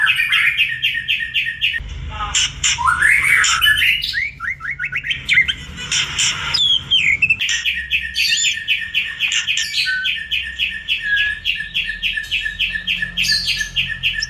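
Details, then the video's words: Morning song of a white-rumped shama: rapid trains of repeated high notes open and close the phrase, with varied whistled, rising and falling notes between them, loud and continuous throughout. "Kicau murai batuku"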